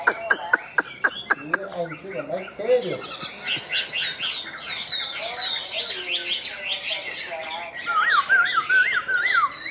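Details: Chinese hwamei, a caged bird, opening with a series of sharp clicking notes, then lower slurred whistles giving way to a dense, varied warbling song and closing with clear rising and falling whistled phrases.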